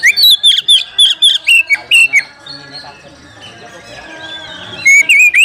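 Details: Oriental magpie-robin calling a rival to fight: a rapid burst of loud, sharp whistled notes sliding between high and mid pitch, about two per second. A short gap with faint background noise follows, then another whistled run.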